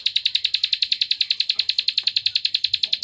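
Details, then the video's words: Bar-winged prinia (ciblek sawah) delivering its "klik" song: an unbroken, very regular rattle of about 27 sharp high clicks in three seconds, loud and clear against a quiet background. "CIWAH PRENJAK KLIK PALING GACOR NGEBREN"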